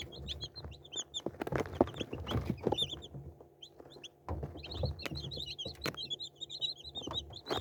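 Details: A flock of chicks cheeps in bursts of thin, high chirps, a quieter gap midway, then a busy chorus returns amid bumping and scraping sounds.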